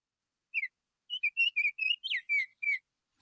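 Baltimore Oriole song: about nine clear, flutelike whistled notes, several slurring downward, given in a quick uneven run over a quiet background.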